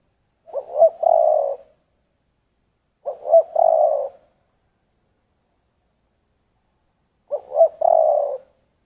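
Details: Spotted dove giving 'giọng thổ' style song. Three full, husky coo phrases, each opening with two or three clipped notes before a long, steady, low hum, spaced roughly three to four seconds apart. No other sounds.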